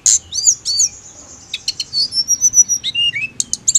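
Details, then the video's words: Mountain leafbird heard during ngirik call training: a bright high note opens, then a long thin whistle, a series of clipped chirps and a few lower down-slurred whistles. "TLEDEKAN GUNUNG HANYA NGIRIK"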